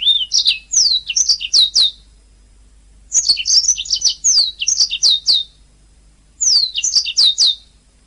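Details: Canary song used to train other singing birds: three phrases of crisp, descending whistled notes and quick trills, each roughly two seconds, with clean silence between.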